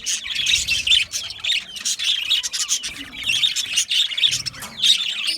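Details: Budgerigars, small Australian parrots, chirping in a flock: dense overlapping high twittering and warbling chatter with short squawky notes, continuous throughout without pause.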